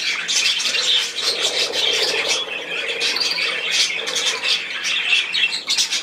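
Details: Budgerigars chattering together inside, with busy high twittering, scratchy squawks and a few short whistles in an unbroken stream.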